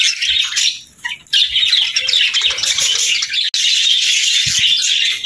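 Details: Budgerigar chorus of rapid scratchy warbles and squeaky chirps, briefly quieter around one second, a sharp click midway, then resuming dense chatter.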